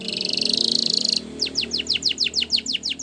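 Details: Spanish Timbrado canary training song over a noisy, humming background: a dense high buzzy trill for about a second, then a series of sharp downslurred notes repeated roughly five times per second.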